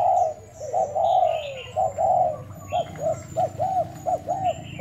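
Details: Thai-type decoy spotted dove cooing in a 1 November trial. Long, drawn coos give way to a quick string of short, arched notes, with occasional high bird chirps in the background.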